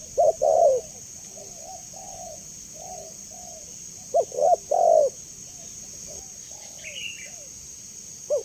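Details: Spotted dove with a clear voice, offered as a training and lure sound, giving paired low coos, softer trailing notes, a second loud coo pair, and a brief faint high chirp near the end, over a steady whine.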